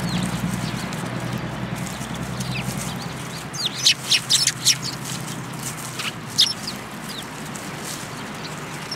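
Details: Eurasian tree sparrows coming to be fed at a Tenmangū shrine on 10 February 2022: after a quiet start, a burst of short, high, sharp chirps clusters in the middle seconds over a steady low hum.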